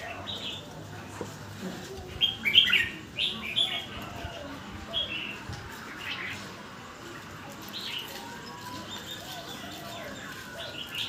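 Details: Fairly soft red-whiskered bulbul song, phrases following each other quickly: a string of short whistled and warbled notes early on, fading to sparser chirps, with quiet background noise.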